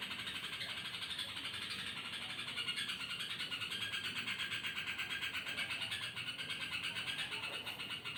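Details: A yellow-vented bulbul at night utters a strange, continuous chatter of rough buzzy pulses, close to three per second, holding an even pitch for the whole stretch, with a steady low background drone.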